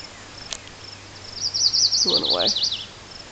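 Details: Chestnut-sided warbler singing, seen through binoculars by the recordist: a short high run of rapid buzzy zigzag notes, falling slightly toward the end, with a man's voice briefly heard below it.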